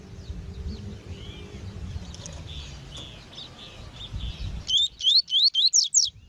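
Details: Double-collared seedeater in tui-tui song for training captive males, with a female present: low background hum and faint chirps, then about seven sharp rising whistled notes delivered rapidly near the end.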